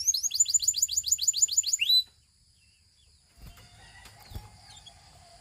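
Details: Two seconds of Russian canary song, a rapid run of descending whistled notes ending on a held note, then quiet with faint clicks and tapping.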